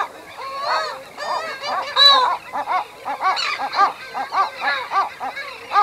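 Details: Nesting pair of Western gulls uttering low-intensity anxiety calls from close range, a steady run of short nasal, harmonic barks repeated about every half second after a longer opening wail, with terns also noted around them.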